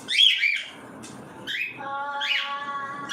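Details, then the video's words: Harsh, arching screeches from cockatiels at feeding time, three bursts over three seconds, with a steady tonal hum under the last call. "FEEDING TIME COCKATIELS"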